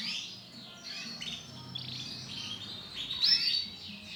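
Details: Brown female canary uttering soft, high chirps that build to a louder, piercing whistled note near the end, with a quiet hum behind.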